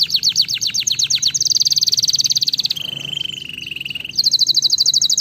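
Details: Canary song intended to stimulate lazy canaries to sing, starting with quick repeated notes, then a sustained bright rolling trill, a lower buzzy trill, and a final rapid high trill.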